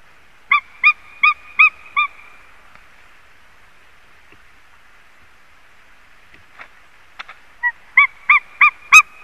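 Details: Calling white-tailed eagle at a Latvian nest, live nest camera: a burst of five ringing yelps, then quiet with scattered clicks and knocks, then a second run of six sharp yelping notes rising slightly in strength.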